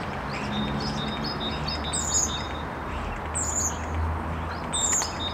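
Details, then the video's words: Common starlings performing as a trio of singers, giving sharp downward-swooping whistles about every one and a half seconds between faint, repeated high tonal notes, against constant background noise. "Скворцы музыкальное трио"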